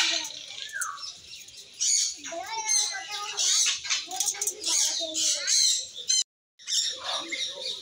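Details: Triton cockatoo parrot giving loud, harsh squawks and harmonic, speech-like phrases in bursts, with a short break of silence near the end.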